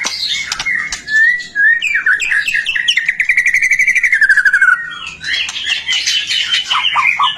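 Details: Active white-rumped shama song to draw other shamas into singing: a couple of clear whistles, then a long, steady trill of fast repeated notes gliding slowly downward, followed by dense high twittering.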